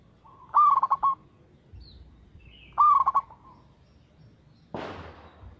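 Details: Zebra dove, local strain, in steady song; two low rippling coos about two seconds apart, then a brief noisy rustle.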